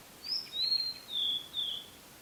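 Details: Blue-and-white flycatcher in song at the prefectural forest in Yaita, Tochigi, Japan, taken with a camera-mounted external microphone: a clear, high whistled phrase of four slurred notes, each stepping slightly lower, in a quiet setting.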